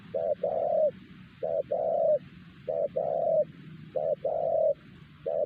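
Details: Spotted dove cooing loudly at Siosar, the best-voiced bird at the site and caught by trappers using a lure bird; clear, close low coos, short note then longer one, repeated roughly every second and a quarter.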